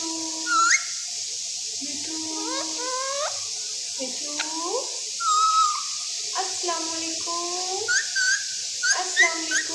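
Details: Alexandrine parakeet, a raw parrot, talking: a run of speech-like, harmonic utterances with sliding, nasal tones in short phrases, some rising and some flat, separated by brief pauses, against a constant hiss.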